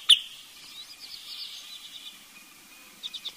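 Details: Wood sandpiper (Tringa glareola) call: a sharp opening note, then a faint run of high, thin notes, ending in a quick trio of whistled 'chiff-iff-iff' notes.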